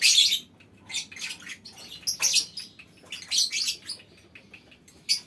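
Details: Lovebirds calling as a colony in a small aviary: uneven shrill, scratchy bursts, some brief and some longer, separated by short quiet spells.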